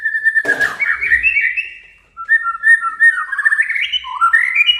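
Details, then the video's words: White-rumped shama, male, singing to anger a rival and draw out its song: varied warbling phrases with rising and falling whistles and quick trills, opening with a sharp rattle. "Suara kicau Murai Batu Panggil Lawan agar EMOSI DAN KELUARKAN ISIAN!"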